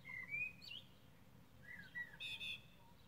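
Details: Common blackbird song recorded 21 May 2020, two fluted warbled phrases separated by a pause, the second ending in a thin, squeaky high twitter; faint low background hum.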